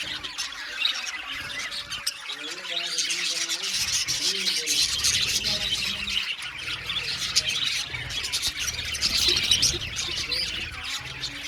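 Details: Many budgies chirp and warble without pause in an aviary, a busy high twittering chorus broken by scratchy squawks and rapid repeated tick-like notes.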